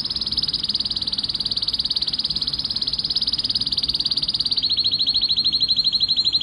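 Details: Excited male canary singing to stimulate mating, a long rapid trill of identical high pulses that steps down slightly in pitch near the end, steady and unbroken.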